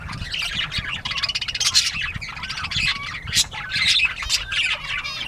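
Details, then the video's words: Bobwhite quail at playtime, 19 April 2017 at 10:13 AM; dense, buzzy squawking with rapid chattering runs and occasional sharp chirps throughout. "Bobwhite Quail playtime"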